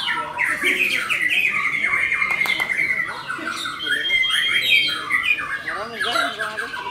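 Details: White-rumped shama singing continuously in gacor fashion: loud chattering bursts and a long sustained whistle, followed by warbled, wavering phrases near the end.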